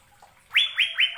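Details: Asian fairy-bluebird (cucak biru, Indonesia) giving three loud, clear whistled notes in quick succession, each sharply rising then gliding gently down, after a brief quiet start.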